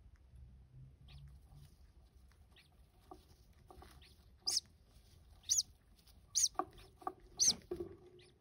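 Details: Two three-day-old green-cheeked conure chicks are fed by their first-time mother in the afternoon. They give high, thin, squeaky begging notes about once a second, with softer lower clicks and rustling between.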